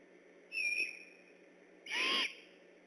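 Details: Great horned owls neighboring the Decorah eagle nest, calling on alert at night on October 3, 2015: a short, thin, high whistle is followed about a second later by a loud, raspy screech, with constant low background hum.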